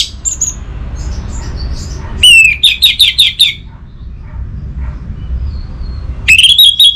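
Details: Lure song of the orange-headed thrush (anis merah): two bursts of quick, repeated sharp notes separated by a few seconds of near silence with faint distant chirps.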